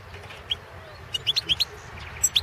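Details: Caged Balkan European goldfinch (Carduelis carduelis balcanica) recorded for a Serbian goldfinch song championship, giving short bright high chirps spaced out, then a quick run of five twittering notes near the end, over low steady background hum.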